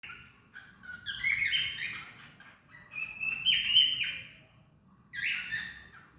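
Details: A cockatiel (Nymphicus hollandicus) sings, whistling bright, warbling phrases that rise and fall in short bursts.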